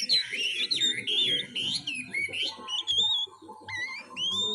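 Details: Young oriental magpie-robin learning to sing, in the twittering practice style called ngiriwik: a rambling run of varied high whistled and warbled notes, some sliding up and down, with a soft low murmur beneath.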